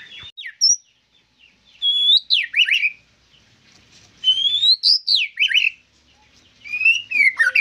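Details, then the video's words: White-rumped shama giving spaced whistled phrases, rising and sweeping notes followed by short chatters, about every two to three seconds, with quiet gaps between phrases. "Murai Gacor Full Durasi"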